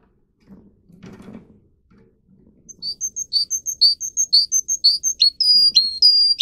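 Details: Canary bred in Russia for its song, used to teach other canaries, starts after faint low background rumble with a steady run of crisp high chirps, then shifts into longer sweeping whistled phrases near the end.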